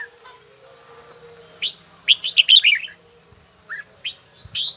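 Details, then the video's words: A red-whiskered bulbul in voice training. Near-silence with a faint hum gives way to a rapid burst of ringing warbled whistles, then scattered single chirps. "Chào mào luyện giọng hay nhất ||Nghe mãi không chán|| Tông giọng chuông đều chuẩn đúng nhịpnhất"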